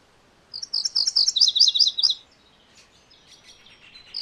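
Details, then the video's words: A loud song phrase from a MacGillivray's warbler, made of quick repeated paired high notes over about a second and a half. Fainter high chatter follows before a new phrase begins. "MacGillivray's Warbler Song ! MacGillivray's Warbler Sounds ! MacGillivray's Warbler Call"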